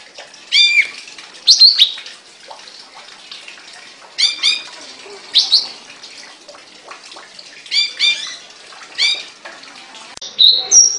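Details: Caged songbird singing loud, high chirpy phrases, each a rapid cluster of rising twittered notes. Phrases repeat roughly every one to one and a half seconds, separated by short pauses with faint background ticks.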